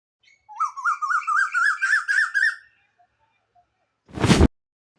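A cuckoo gives a quick series of about ten wavering, whistled notes, climbing steadily in pitch over two seconds. A brief rushing burst of noise follows.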